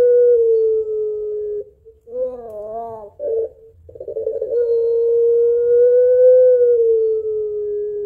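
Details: Barbary dove, puter pelung, calling its mate: a held coo, a short gap, quavering wavy notes, a rough burble, then a long drawn note that rises slightly before easing down.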